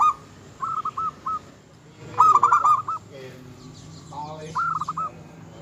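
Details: Local zebra dove singing vigorously, a song said to provoke rivals: several runs of quick mellow coos, one louder rolling phrase in the middle, with a few lower sounds mixed in between.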